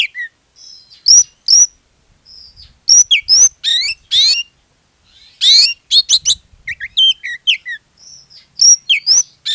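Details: Lure song of an Oriental magpie-robin intended to get other magpie-robins singing, a long varied run of whistled notes, sharp chips, harsh buzzy rattles and rapid twittering phrases, with short gaps between bursts.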